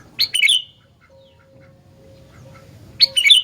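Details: Sooty-headed bulbul, locally called gentilang, singing vigorously: a quick burst of bright chirpy, slurred notes at the start, a quiet gap with a faint steady hum, then another chirpy burst at the end.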